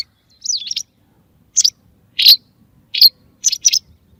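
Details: White wagtail calling for use in hunting: one long, looping whistled chirp, then several short, high, sharp notes, some paired, at irregular intervals.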